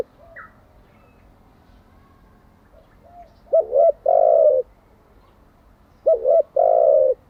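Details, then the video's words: Low cooing from a spotted dove, played to train newly caught and decoy birds daily. After faint murmurs, two clear phrases come, each a short stuttered pair of notes and then a drawn-out coo. "Tiếng chim cu gáy mới nhất, dùng luyện chim gáy bổi và mồi hàng ngày"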